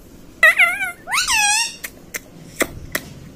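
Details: Ringneck parrot kept as a pet, talking 'mummy papa' indoors: two drawn-out, harmonic-rich vocal notes, the first wavering and the second rising then falling, followed by a few soft clicks.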